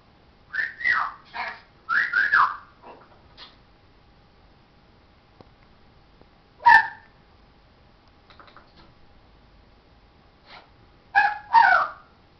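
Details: Talking pet parrot mimicking speech, said to say "hello darling, show us your"; several short, raspy, voice-like bursts in two clusters near the start, then a single squawky syllable and a final pair of words, with quiet gaps between.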